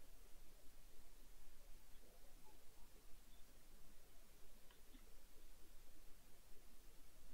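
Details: Near silence with only faint room hiss and a few soft rustles.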